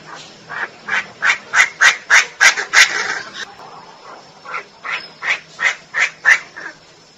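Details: Female Chinese francolin uttering a rhythmic run of about a dozen short, harsh notes, roughly three per second, rising in loudness, then a second, softer series after a short pause.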